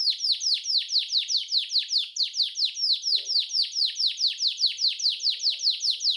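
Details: Caged canary song, a long varied song used as a tutor recording for training caged birds, best played morning and night: fast, regular series of high downslurred chirps, about two per second, steady throughout.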